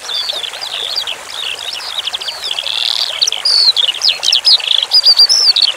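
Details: Skylark (branjangan) song used as a masteran training track, set over flowing water: a fast, unbroken run of high whistled and buzzy notes, sliding up and down, with a quick trill near the end and a steady water trickle beneath.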